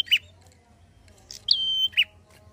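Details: Prinia in fast drawn-out 'ngalun' song used to provoke untrained birds: a buzzy note ends one phrase, then after a pause a tick, a long flat shrill whistle and a harsh closing burst.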